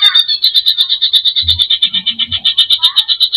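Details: Greater green leafbird singing hard to stir emotion, full of fill-ins: a fast, even chattering trill of high notes, about three per second, running unbroken throughout, with a brief low thump partway.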